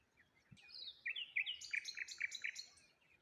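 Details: Birds chirping in the morning by the water beside a lone tree and rose hips: a bright, quickening run of high twittering notes that gathers into a rapid, even series of sharp chirps, with quiet outdoor background.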